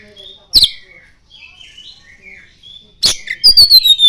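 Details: Oriental magpie-robin singing with mimicry of the common iora: a sharp high note followed by soft, wavering whistled warbles, then a loud burst of clicks and a long descending piercing whistle.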